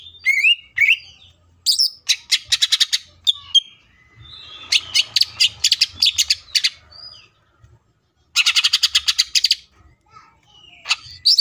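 A greater green leafbird sings loud, varied phrases: sliding whistles mixed with rapid bursts of harsh, chattering notes in quick succession.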